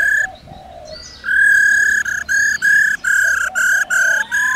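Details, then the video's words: Laughingthrush singing in its forest-voice style, calling wild birds, with a female trilling alongside: loud clear whistled notes held at one steady pitch, repeated in a fast series of about eight short bursts after a softer, quieter opening. "Khướu Hót giọng rừng RÉO GỌI BỔI KÈM KHƯỚU MÁI RO RO"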